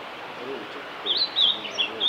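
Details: Male blue-and-white flycatcher singing at Lake Miyagase along the Kanazawa forest road, Japan, on 5 May 2018; a string of clear, high whistled notes with slurred, wavering phrases starts after a second over a soft, steady background hiss.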